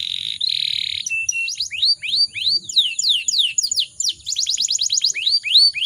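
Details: Canary hen in breeding condition, whose song is meant to make other canaries sing: a buzzy opening note, then a run of upswept whistled notes about four a second, ending in a quick ringing trill.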